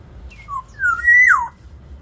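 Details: Black-naped oriole kept in an aviary, its lively song used as a lure to train other birds: a short high note, a lower whistle, then a loud fluting phrase rising and swooping down, over a low background hum.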